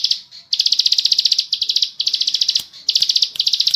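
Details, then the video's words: Bar-winged prinia in ngebren song, recorded as tutor audio: clipped runs of rapid high chips, each lasting about a second, separated by short gaps, with one sharp click partway through. "burung ciblek sawah ngebren gacor"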